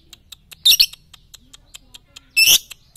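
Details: Lovebird training sound for morning, noon and night: two loud, shrill, squeaky double chirps nearly two seconds apart over a soft, steady patter of high ticking notes.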